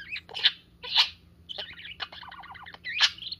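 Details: Pet parakeet playing with its owner's fingers, a sign of trust; bursts of sharp bright chirps alternate with short buzzy warbled phrases and a rapid stuttering trill, with gaps between notes.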